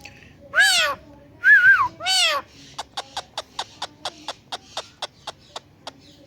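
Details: Pet Indian green ringneck parrot talking on a plant: two loud arched harmonic squawks and a wavering note, followed by a long series of rapid, evenly repeated short clicks, roughly fourteen.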